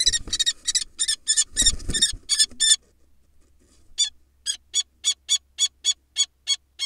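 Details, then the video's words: Wild female common kestrel in a nest box, defending her egg against an intruding male barn owl. A burst of harsh screeching over thuds and scuffles breaks off into near silence, then clean, shrill calls resume, steadily repeated. "Female Falcon (Kestrel) Defends Nest In Epic Battle Against Male Barn Owl"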